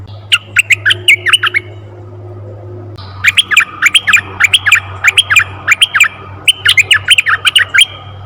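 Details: Red-eyed bulbul calls for luring bulbuls: lively bubbly phrases of short, warbling, up-and-down notes, delivered in fast bursts separated by brief pauses, over a faint low hum.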